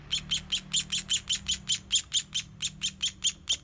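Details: Baby sparrows being hand-fed beg with high, sharp chirps, about five a second, in an insistent run over a faint low hum.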